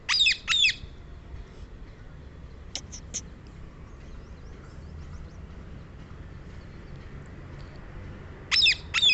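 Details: Rose-ringed parakeet, Psittacula krameri, uttering pairs of loud, raspy screeches at the start and end, with a brief trio of thin clipped notes and faint chirps in between over quiet background noise.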